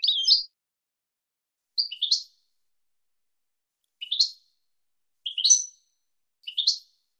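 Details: European goldfinch from a 2022-season recording used to teach young goldfinches: five clipped, high, upward-flicking chirps, irregularly spaced over seven seconds, against complete quiet.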